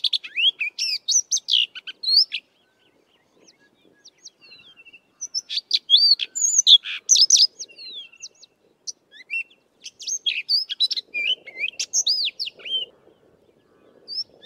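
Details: Rambling, melodious song of a Sabota Lark, a skilled mimic, recorded in the southern Karoo: dense, varied high chirps, slurs and whistles pouring out almost continuously with brief gaps, faint low background rumble.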